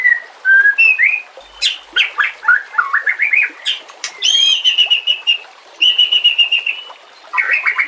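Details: White-rumped shama song meant for training other birds: varied whistled notes sliding up and down, a sustained clear whistle near the middle, and dense chips and trills in the higher range, delivered in rapid phrases.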